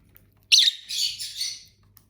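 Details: Pet lovebirds from a household flock of six, eating and singing: a sudden shrill squawky chirp running into about a second of rasping, buzzy chatter that pulses twice before fading.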